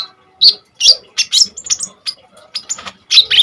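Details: Common iora singing actively in fierce bursts, used as a lure and tutor for training kolibri ninja birds; sharp high chirps and short buzzy notes in quick separated bursts, clustered near the top of the range.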